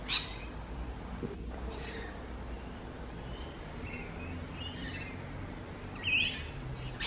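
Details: Rainbow lorikeet with a sharp screech at the start and another near the end, separated by quieter squeaky chatter, over a low rumbling background.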